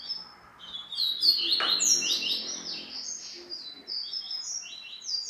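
A double-collared seedeater sings a fast, continuous jumble of high, sweet chirps and slurred whistles, with a brief low knock partway through.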